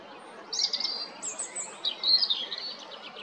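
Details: Robin singing at Jarun in Zagreb, Croatia, recorded 13 April: a run of high, thin warbled and trilled phrases, some sliding down, others jittery and rapid, against a quiet, hissy background.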